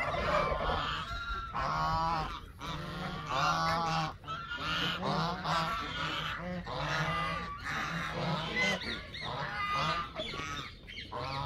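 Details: Canada geese calling as a flock: dense, overlapping nasal honks repeated in irregular bursts, with many voices calling over one another almost without pause.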